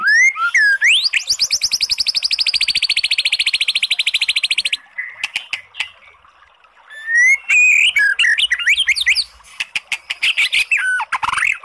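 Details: Oriental magpie-robin singing to spur a listless bird into song: a rapid buzzy rattling trill held for several seconds, then a pause, then varied whistles and sweeping notes mixed with sharp clicks.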